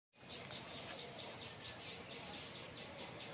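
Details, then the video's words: A white-throated fantail gives short, high, squeaky notes repeated several times a second over a steady background hiss. "White throated fantail bird"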